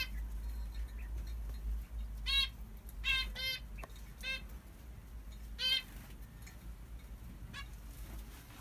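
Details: A newly hatched zebra finch chick in an aviary gives short, nasal, buzzy calls in scattered bursts over a low hum.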